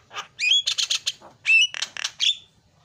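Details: Short Javan myna phrase, a lure to get a non-singing bird going: upslurred whistles alternating with clusters of harsh, buzzy squawking notes.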